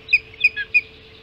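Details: Ospreys on the Hog Island nest at breakfast time, 5:20 on 7 July 2016: three or four loud, piercing whistled chirps in quick succession, evenly spaced, over a faint continuous hum.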